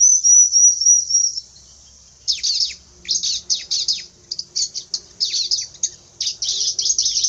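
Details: Fierce-sounding bar-winged prinia: a high thin trill opens, then after a pause come bursts of sharp, scratchy chirps, fast and uneven, in clusters separated by short gaps, all very high-pitched.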